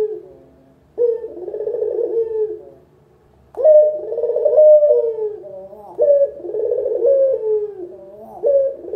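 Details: Lure recording of a local puter spotted dove: low warbling coos, one phrase then a pause, followed by three more in quick succession, each a rising onset and a long quivering hum.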